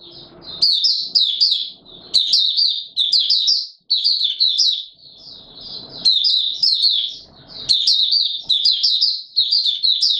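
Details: White-eye recorded 20 March 2022 during warm humid weather, delivering long runs of high, rapid warbled twitters with brief breaks between phrases, interspersed with occasional low scuffling sounds.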